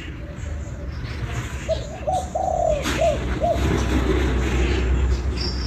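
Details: Spotted dove, Vietnam, calling kích bổi: short coos, one long level coo, then two brief arched notes, followed by rising low rumble and general background noise.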